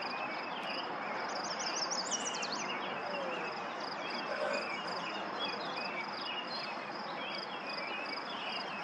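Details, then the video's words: Yellow warbler singing on May 28th, 2024 at Lauritzen Gardens, Douglas County, Nebraska: one brief burst of high, rapid slurred notes about two seconds in, then faint scattered chirps from other birds over a steady insect drone. "Yellow Warbler singing"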